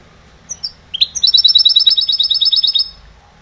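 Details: Goldfinch hybrid, a trained singer born in 2011, gives a few separate high chirps, then a fast, even trill of about fifteen bright repeated notes lasting nearly two seconds.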